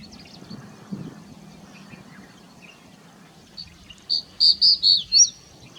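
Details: Crested bunting (Emberiza lathami) in the Aravalli hills near Nagaur, Rajasthan, gives about five thin, high chipping notes in quick succession near the end, some flicking upward, after several seconds of quiet background hiss.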